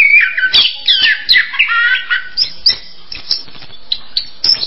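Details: An orange-headed thrush opens with a busy whistled phrase, then gives sparser single chirps and short notes spaced through the rest.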